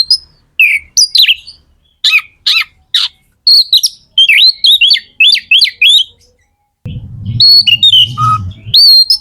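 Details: Oriental magpie-robin, kept as a cage bird, singing to stir other magpie-robins into song: loud varied whistled phrases with sharp rising and falling notes, short bursts separated by pauses, then a low rumbling background noise near the end.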